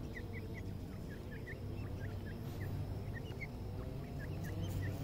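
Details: Several black francolin chicks call while feeding: rapid, thin, bent peeps in an uneven chorus, about three or four a second, set against a steady low-pitched background drone.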